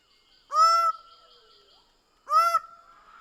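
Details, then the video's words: Greater bird-of-paradise: two loud, drawn-out nasal honks nearly two seconds apart over a faint steady background hum. "Greater bird of paradise sound"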